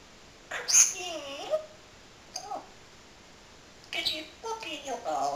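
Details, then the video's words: Indoor pet parrot, a male that imitates the name of a friend's cat, producing two bursts of speech-like syllables with rising and falling tones, separated by a quiet gap. "BEST TALKING PARROT IN THE WORLD"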